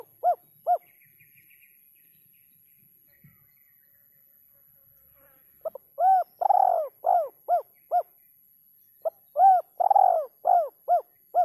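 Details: Spotted dove, kuk 3 call type: a pair of short hollow coos, a quiet pause, then rapid runs of short coos mixed with longer drawn-out coos, repeated in two bursts.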